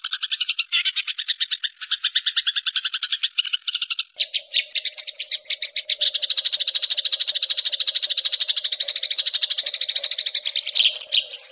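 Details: Sparrow chirping in a fast, dense series of short high chirps, about three per second, shifting after four seconds into a steadier rapid run of chirps with a faint low hum underneath.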